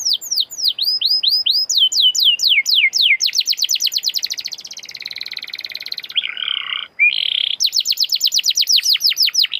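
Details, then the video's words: Canary song used as a lure to get other canaries singing: series of fast, clear downward-sweeping whistles, then a buzzy sustained trill, a brief harsher lower phrase, and renewed rapid repeated sweeps. "Canary gacorr!!!! canary bisu auto nyaut!!!!"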